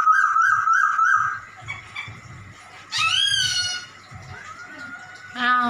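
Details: Caged black-throated laughingthrush copying a cat's voice: a long wavering whistle, then a sharp rising mew that slides down, another drawn-out mew, and a low hum beneath.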